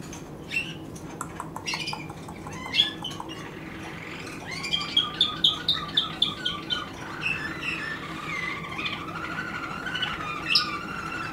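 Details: Waterslager canary singing in 2016: a steady row of about ten sharp, evenly spaced chirps, followed by softer rolling warbled notes and a long low whistle.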